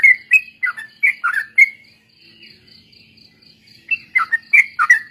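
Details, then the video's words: Bulbul training-lure song, sooty-headed bulbul: a burst of quick bubbly phrases, then about two seconds of near silence with a faint high tone, then the rapid, rolling phrases resume. "suara burung trucuk||pancingan bahan ombyokan dan ikut ropel"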